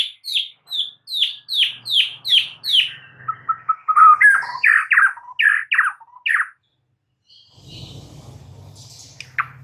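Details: White-rumped shama song aimed at making a mute bird sing: a rapid string of descending sharp notes, then mixed whistles and chips, ending in low background rumble and a faint call.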